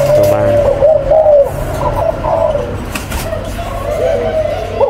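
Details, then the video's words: Coos of a breeding spotted dove, one of a parent pair numbered 11 and 04: a clear mellow opening note, then softer broken cooing phrases fading and returning, with a constant low background drone. "MỜI CÁC CỤ THẨM ÂM ĐÔI CHIM CU BỐ MẸ SỐ 11 VÀ 04"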